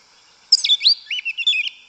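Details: A short forest-style phrase from a yellow-legged thrush: swooping whistled notes, then a run of quick, lower chirps.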